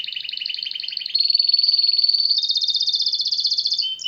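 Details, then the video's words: Canary song with continuous rolling trills, shifting from a lower rattling trill to a louder steady high trill, then to a quick pulsed trill, with no pause. "أروع تغريد كناري"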